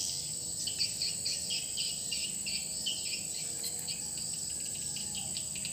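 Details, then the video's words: New swiftlet lure call in a swiftlet house: brisk, choppy high chirps, about four per second, in irregular runs over a persistent thin hiss. "Selesai penggantian suara panggila baru rumah burung walet (RBW)"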